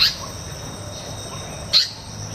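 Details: Asian paradise flycatcher calling: two short, harsh notes that sweep downward, about 1.7 seconds apart, over a steady high insect-like whine and a low background hum.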